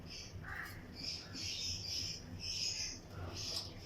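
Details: Lutino lovebirds in a breeding colony aviary, pairs in a flight cage, giving high chirps and squeaky notes that overlap in a steady chatter, with other birds calling around them and a low background hum.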